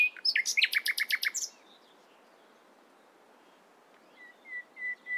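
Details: Nightingale morning song opens with a rapid string of about ten repeated chattering notes, falls silent, then resumes with a few soft, evenly spaced pure whistles on one pitch.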